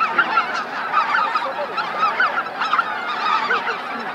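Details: Greater white-fronted geese descending to roost on Miyajima-numa in Bibai, Hokkaido, 2016; clear individual yelping honks in quick, irregular bursts over a constant murmur of many more geese.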